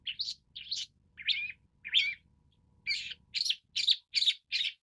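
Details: A Long-tailed Shrike (Lanius schach) gives harsh, rasping notes, about ten in under five seconds at an uneven pace, over a faint low rumble.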